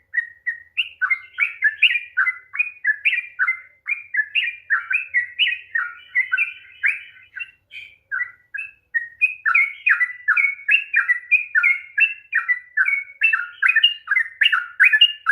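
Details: Sooty-headed bulbul delivering an extended 'ropel panjang' song to stimulate silent birds: a continuous stream of chirpy, bubbly whistles rising and falling, with a short lull midway before growing denser again.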